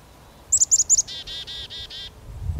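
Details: Black-capped chickadee (Poecile atricapillus) giving its namesake chick-a-dee-dee call: four thin, high 'chick-a' notes, then five quick, harsh, buzzy 'dee' notes, with a faint low rumble behind.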